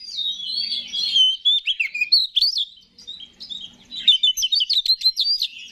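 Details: Oriental magpie-robin (kacer) giving persistent 'gacor' song as a lure for other kacer: a sweet gliding whistle, then clipped, wavering notes, a short lull and a rapid run of sharp notes.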